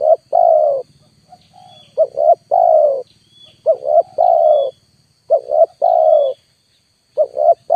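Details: Spotted dove calling as a lure, wild birds not coming down. Low, hollow three-part coos, two short notes then a long falling one, repeated about every one and a half seconds, with a soft low hum underneath.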